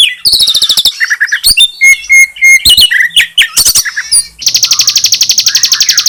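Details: Spliced song of the Bar-winged prinia with Oriental magpie-robin, meant to provoke other birds: mixed chirps, buzzy bursts and level whistles, ending in a rapid, even series of high sharp ticks near four per second.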